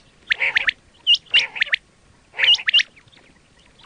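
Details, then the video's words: Quail sound used for hunting: three groups of a raspy note followed by sharp upward-hooked whistles, separated by short silences. "quail 2024 Fresh sound Batair Ki awaz"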